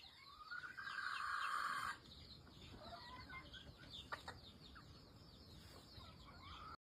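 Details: Red junglefowl crow, a single rough, strained call of about one and a half seconds opening the recording. It is followed by a dense, noisy background of insect buzzing and scattered small bird chirps.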